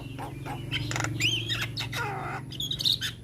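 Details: Young Javan myna singing with many fills: a rising squeal, rasping notes and a drawn-out nasal churr over a steady low mechanical hum.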